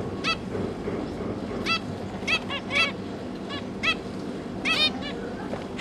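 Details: Zebra finch pair feeding their three newly hatched juveniles in captivity: short nasal stacked calls, spaced irregularly and often in quick doubles or triples, over a steady low rumbling background.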